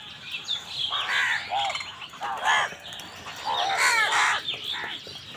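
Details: Crows fighting with wild birds for food; several hoarse caws and harsh squawks overlap in irregular bursts, with brief pauses and chattering from other birds.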